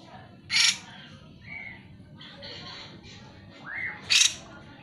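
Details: Cucak jenggot in full song, meant to coax reluctant birds into singing; two loud harsh bursts frame short whistled slurs, including a rising whistle, and softer buzzy notes between them.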